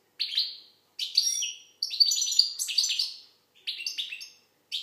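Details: Algerian goldfinch song: lively runs of high liquid twitters and buzzy trills. A longer rambling phrase in the middle is framed by shorter bursts, all with a slight room echo.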